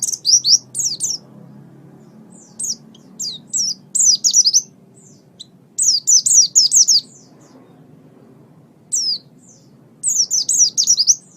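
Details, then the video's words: Oriental white-eye song for training pet birds: short bursts of shrill, rapid down-slurred notes, each burst lasting about a second, separated by pauses of quiet. "MASTERAN GACOR - Suara Burung Pleci"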